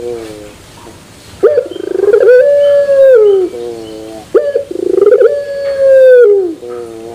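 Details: Turtle dove (puter) in pelung style, metallic terasan voice: after a soft low warble, two strong coos follow, each a buzzy rise into a long level note that drops off, about three seconds apart.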